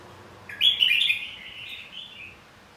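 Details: Single loud phrase of red-whiskered bulbul fighting song, meant to stimulate singing: a bright rippling warble that trails off into a softer, descending whistle.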